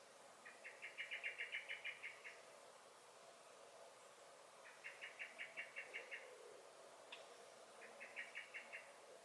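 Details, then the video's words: Common blackbird alarm calls from a garden, May: three separate bursts of rapid, rattling chinks, each about a second or more long, with a single sharp click between the second and third. "Song and Alarm Calls of the Blackbird"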